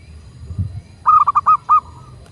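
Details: Local zebra dove used as a master recording to prompt captive doves to start singing and answer quickly; after a second of low hum, a short rolling series of about five soft mid-pitched cooing notes follows in quick succession.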